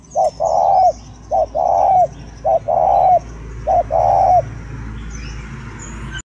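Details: Spotted dove from northern Vietnam giving four low, hoarse cooing phrases. Each is a brief note followed by a longer drawn-out coo, spaced about one second apart, over a faint steady hiss.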